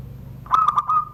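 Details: In Serang, Banten, Indonesia, a caged zebra dove gives a single 'surung gdor' crystal-style phrase: rapid staccato coos running into a long, even, fading whistle-like note, with soft background hum.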